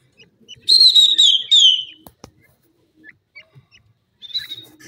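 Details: Captive francolin (teetar) kept at home, described as feeling dizzy: a loud, shrill whistled phrase of slightly descending notes lasting about a second, a short second burst, then quiet with faint clicks and a brief whistle near the end.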